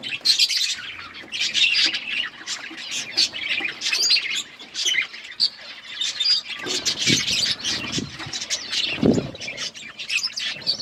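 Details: Pet budgerigars of various colours chatter constantly, an overlapping stream of scratchy chirps and squeaky tweets, with a few lower thumps near the end.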